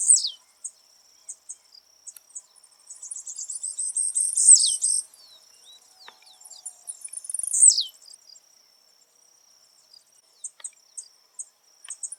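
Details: Wild blue-black grassquit singing in nature: two loud buzzy downslurred phrases around 4.5 and 7.5 seconds, each led by a quick chattering run, with scattered soft ticks and a constant thin high background hum.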